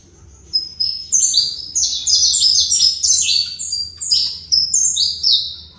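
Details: Captive saffron finch, bred for the fibra song style, pours out a long run of sharp, high descending notes in rapid succession, with tiny breaks between phrases.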